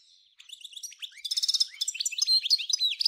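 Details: Singing goldfinch in the 'nature' style from Souk Ahras, Algeria, 1995: after a faint start, a growing cascade of high twittering notes and a short buzzy trill, continuing lively to the end.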